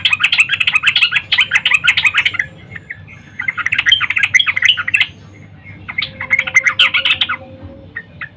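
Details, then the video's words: Female yellow-vented bulbul calling for a male in the morning: three lively bursts of jumbled, fast chattering notes, each lasting two to two and a half seconds, separated by brief pauses and faint stray chips. "Trucuk Betina Memanggil Jantan PAGI HARI"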